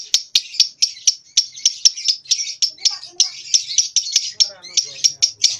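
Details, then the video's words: Young lovebird, about two months old, practising ngekek in the nyeklek style, still only in short bursts: loud, harsh, high chattering pulses repeated about four times a second without pause, with a faint lower warble in the background. "LOVEBIRD PAUD Nyeklek Belajar Ngekek"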